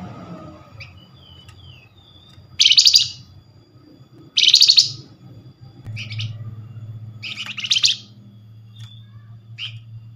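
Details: Flamboyan lure call for drawing a reply from others of its kind: four harsh buzzy bursts about two seconds apart, each a dense scratchy rattle, with soft whistled notes and a low hum in the background.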